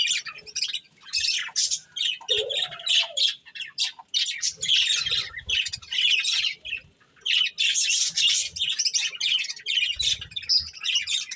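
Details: Several pet budgies enjoying corn: rapid high chirps and chattering warble in repeated bursts separated by short gaps, plus one lower squeaky call and soft low knocks from eating.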